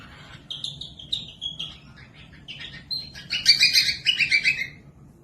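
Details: Cockatiel, recorded to help young or lazy birds learn to sing; thin high chirps in a loose series, building into a dense burst of buzzy, harmonic-rich notes near the end.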